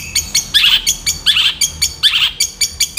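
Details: Long-tailed shrike used as a master tutor bird, singing rapid, dense phrases: harsh buzzy chattering bursts repeated about every half second, loud and steady throughout.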